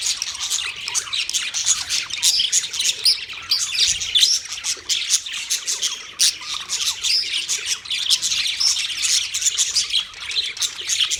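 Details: Busy budgerigar colony of 30 pairs, an unbroken wall of shrill chirping and scratchy squawks, dozens of overlapping voices pulsing in loudness as individual birds chatter.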